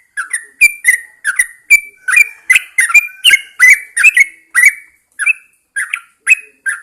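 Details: Caged Yellow-vented Bulbul singing outdoors at dawn, the traditional practice of airing songbirds to spur song. It gives a rapid, tumbling series of liquid chirps that slows near the end.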